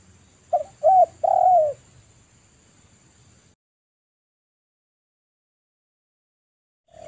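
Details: Spotted dove cooing ('manggung') while a dove-luring session is under way. One phrase of three mellow notes: a quick first note, a short second coo and a longer drawn coo. Silence follows, and a new note begins at the very end.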